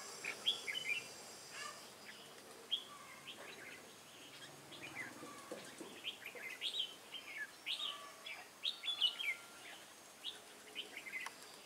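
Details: Wild-caught Red-whiskered bulbul kept in a cage, recorded 22 October 2018, singing in duel style. It gives many short, bright, warbled whistled phrases in quick bursts throughout, some fainter than others, over a steady background hiss.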